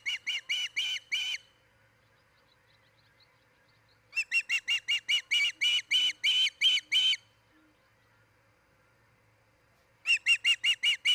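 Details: Osprey at a nest near Charlo, Montana, where a pair is building a nest and mating: loud series of shrill whistled chirps, about eight quick notes, silence, a longer run of twelve, then another burst.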